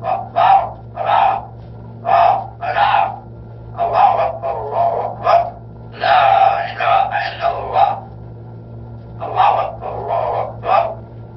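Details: A parrot recites Surat al-Fatiha and religious phrases in short, speech-like bursts with a rhythmic, recitation-like cadence, some phrases run together; a low steady hum sits underneath.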